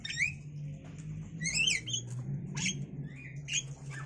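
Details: Javan myna chicks, five days old, begging as free-flying pet parents take turns feeding them grasshoppers and caterpillars in their enclosure; harsh, rising squawks with bright overtones come in bursts over a steady low hum.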